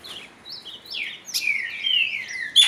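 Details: Ultramarine grosbeak singing close to another of its kind, with other birds singing, gives a short run of sweet, slurred whistles that rise and fall, ending in a long descending note, with a couple of sharp clicks.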